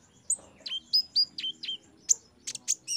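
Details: High, sharp song of an olive-backed sunbird used to train caged birds to sing: a string of bright downslurred whistles spaced about a quarter-second apart, then scattered piercing chips and buzzy high notes at the end.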